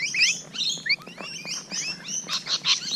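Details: Close-range Rainbow Lorikeets on a June morning, a quick run of thin screechy whistles sliding up and down, ending in harsher raspy squawks.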